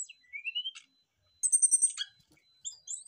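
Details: Brown-chested jungle flycatchers answer each other in loud, full song: a clear rising whistle, then a rapid burst of high, buzzy trilled notes and a few sharp chips, with quiet gaps between phrases.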